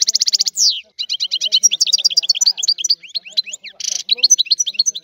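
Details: Old-style Sicilian European goldfinch song, recorded very cleanly as a lure for goldfinches: it opens with a buzzy, rasping burst, then becomes quick tinkling twitters. A second harsh buzz cuts in before the twittering resumes.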